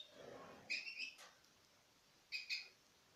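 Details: Citril finch pairs from 2016 eating from the hand. Two short, tinny double chirps stand out over a quiet background, with one sharp click between them.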